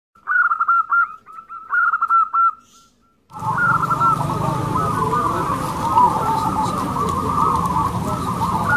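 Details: Local zebra doves at a singing competition, birds noted for big, long, loud voices; soft cooing phrases near one pitch in two bursts, a pause, then a dense continuous chorus of overlapping coos with heavy low background rumble.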